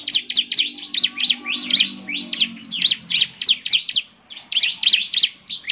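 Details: Bar-winged prinia singing briskly to prompt other prinias to reply, high chirped notes that sweep up and down in quick succession, with a short gap near the fourth second and a low hum beneath.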